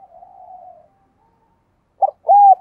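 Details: Lure spotted dove cooing to attract wild doves: a soft drawn-out coo, a pause, then a short clipped note and a loud steady coo; background silent.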